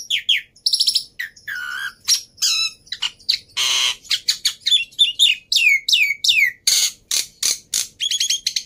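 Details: Black-winged myna in full, lively song, used as a prompt to get silent mynas singing: a rapid, varied run of harsh notes, whistled downslurs, buzzy bursts and ringing harmonic phrases with barely a pause.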